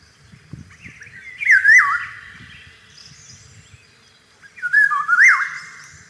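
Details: Spring song of the Eurasian golden oriole amid flowering cherry: two mellow, yodelling whistled phrases with a wavering dip, about three and a half seconds apart, over faint low background rumble.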